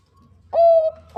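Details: Bangkok zebra dove, a female calling the male: one clear, sustained, mellow coo lasting under half a second, with a faint low hum behind it.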